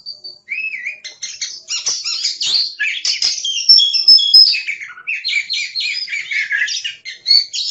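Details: Varied, energetic song of an oriental magpie-robin: a thin whistle, then a long, dense stream of sweet whistles, sharp chips and warbling phrases that shift pitch constantly for over seven seconds.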